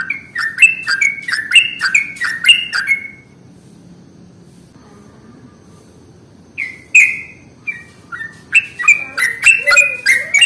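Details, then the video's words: Sooty-headed bulbul lure song (pancingan): fast bubbly whistled phrases for three seconds, a quiet pause of several seconds, then the chattering whistles resume, ending with a rising note. "SUARA pancingan paling AMPUH untuk Trucuk jenis apapun"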